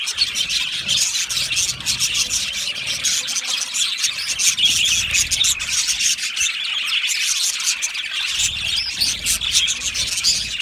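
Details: Budgerigar left alone, calling loudly for contact or from distress: unbroken, busy high-pitched chatter of clicks, chirps and harsh squeals running through the whole stretch.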